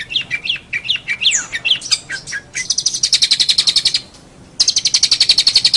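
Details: A long-tailed shrike sings for a songbird training recording, starting with varied rising and falling whistles and then switching to long, fast buzzy trills of evenly repeated notes, with one brief silent gap.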